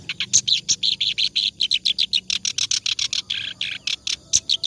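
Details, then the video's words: Energetic clamorous reed warbler song for training other songbirds: an unbroken rattle of harsh, buzzy chirps delivered several per second, occasional sharp high squeaks standing out. "BURUNG KERAK BASI NGACOR COCOK BUAT MASTERAN"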